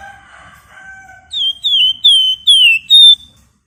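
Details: Flamboyan bird singing in lively gacor form, delivered in the dense ngebren and nyerecet styles: soft, layered whistles first, then five loud, clear, sliding whistled notes in quick succession, each dipping slightly in pitch.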